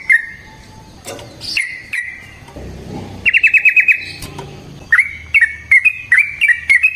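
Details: Sooty-headed bulbul, a lively fighting-style bird used as a lure to make other bulbuls answer: short whistled notes near the middle register, a quick rattling burst, then clipped rising chirps repeated in a broken rhythm, with faint clicks between.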